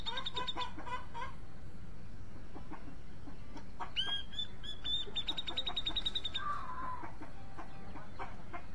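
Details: Grey-cheeked bulbul singing: a sharp upswept whistle, then a fast run of bright, evenly repeated notes lasting about a second and a half, ending in a lower slurred note, over steady background hiss and clucking fowl.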